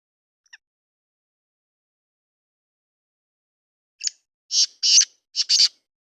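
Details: Black francolin giving a faint tick, then after a long pause a run of rasping, buzzy notes: a short opener followed by two pairs of longer grating bursts, with no other sounds.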